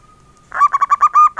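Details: Male local zebra dove starting an engkel song phrase after a faint steady tone: rapid, rhythmic, soft coos at low pitch, evenly spaced, ending in longer notes.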